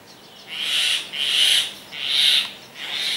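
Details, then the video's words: Growing myna chick begging for more food while its mother feeds it: four harsh, hissing, drawn-out screeches, each about half a second long, given roughly every three-quarters of a second. "Growing baby wants more #myna feeding her baby"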